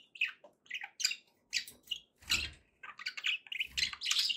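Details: Cheerful budgerigar chatter with squeaky chirps, rolling warbles and squawks in quick bursts, some soft low bumps underneath.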